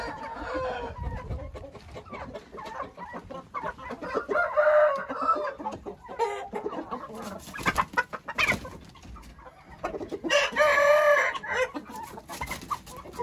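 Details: Hint roosters crowing: two long harmonic crows about six seconds apart, each a rough, drawn-out cry, with clucking and other background noise between them.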